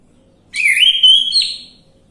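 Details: Orange-headed thrush song played as a lure to make a quiet bird sing: a smooth, slurred whistled phrase that climbs, holds, and ends on a higher final note, with nothing else audible.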